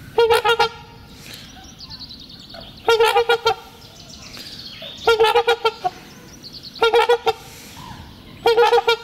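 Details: Pair of trumpeter swans in a spring courtship ritual renewing their bond and marking territory acoustically; five bursts of rapid, nasal, brassy honks, each of four or five notes, spaced roughly every one and a half to two seconds.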